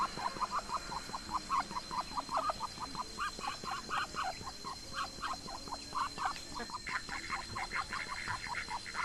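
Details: Muscovy duck (Cairina moschata) eating grass in a garden gives soft, short chattering notes, several each second, in uneven bursts, over a steady high-pitched whine in the background.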